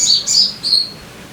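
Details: High, clear sogon notes from a lure track for caged birds: three loud, slightly descending whistled chirps in quick succession.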